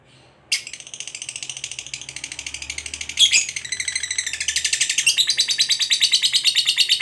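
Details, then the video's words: Ngekek trill of a fighter lovebird, played to rouse a rival's anger. After a brief silence, a rapid rattling chatter starts abruptly and holds steady, with a louder, harsher burst near the middle. "Pancingan Suara Burung Lovebird Fighter Ngekek Pancing EMOSI LAWAN"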